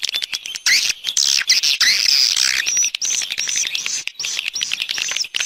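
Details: External swiftlet sound: fast, irregular high chirps, about three per second, running into dense buzzy twitters and later a string of short, clipped whistled notes.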